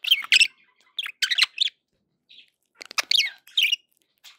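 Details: Budgerigar calls meant to cheer pet birds: a few short, bright chirps and scratchy squawks in small bursts, separated by a quiet gap of over a second.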